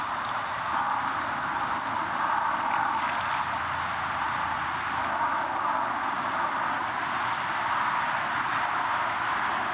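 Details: Continuous engine-like rumble and broad midrange noise run throughout, with no animal calls.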